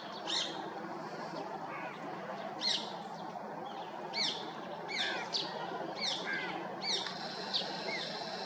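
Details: White-bellied drongo on a perch in India: short, sharp, downward-sweeping chirps repeated about once a second, some doubled, over a steady background hiss.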